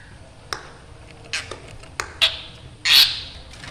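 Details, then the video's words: Black drongo giving scary-sounding calls: a few faint ticks, then a short rasping note and one loud, harsh, broad screech near the end. "srigunting hitam gacor suara menyeramkan"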